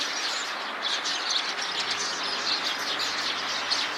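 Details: A flock of Eurasian tree sparrows calling together in a tree gives a dense, overlapping chatter of short high cheeps, with a steady soft hiss of background noise.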